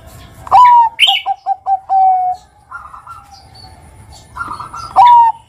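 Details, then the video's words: Zebra dove of the Bangkok type used to coax other doves into song; soft cooing phrases with a rapid stuttered run of short notes, brief higher chirps and a wing flutter, ending in another rolling coo. "Ngerot Kuwor Kuwor Langsung MANGGUNG Pancingan perkutut Bangkok Pintar Bikin BUNYI kutut Bakalan"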